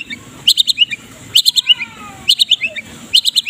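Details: White-rumped shama of the Medan type in morning 'kretekan' song for tutoring other birds: short clusters of four or five quick high chirps, repeated roughly every second, with faint falling whistles between.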